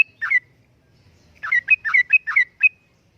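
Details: Vigorous song of a sooty-headed bulbul, meant as a lure and tutor for other birds: two quick liquid notes, a pause, then a bubbly phrase of about seven alternating low and high notes, in a quiet setting.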